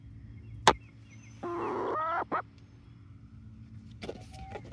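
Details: A 19-week-old Barred Rock and Gold Star flock near Iola, Texas: one loud, raspy squawk of under a second, a short echoing second note, then quieter calls, with a sharp knock and background hum.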